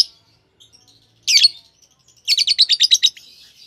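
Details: One grating chirp from a green Fischer's lovebird pair is followed by a quick rattling trill of about eight sharp, buzzy notes, with faint twitters before and after.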